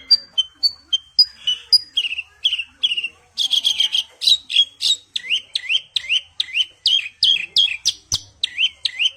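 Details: Javan bush lark (branjangan) singing: clear short whistles at the start give way to a fast string of rising, sweeping chirps repeated several times a second, steady and unbroken.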